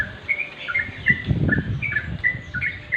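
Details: {'caption': 'Natural song of the sooty-headed bulbul at dim light: cheerful slurred chirps given in quick pairs and triplets, irregularly spaced, against a low rumbling background.'}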